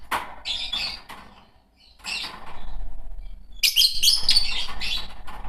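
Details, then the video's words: Green Fischer's lovebirds in a pair, rough high chirps at the start, a pause with low rumble, then an intense shrill squealing chatter to the end. "Lovebird singing & chirping sounds -Green Fischer Pair"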